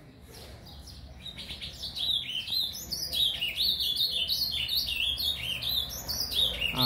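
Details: A captive brown-plumaged ultramarine grosbeak gives a quiet subsong: a soft, continuous run of high warbled and slurred notes that grows a little louder, over a low background rumble.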